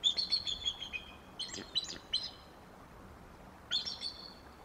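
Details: At the Decorah nest before dawn, a bald eagle rouses its mate at 4:05 am; shrill, piping chatter of rapid descending notes opens loudly, then shorter squeaky bursts follow after a pause.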